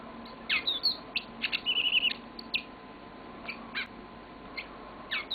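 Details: A pet yellow-fronted canary sings a long song of bright, high chips and short sweet trills in quick bursts, over a low steady indoor hum.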